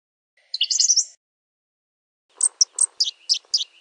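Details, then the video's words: Blue-gray gnatcatcher with a jumbled, twittering high phrase, then a quick string of sharp, thin chips over faint low background rustle. "Blue-gray Gnatcatcher Singing! Calling! Chirping! Sound! - Perlita Común Canto - Polioptila Caerulea"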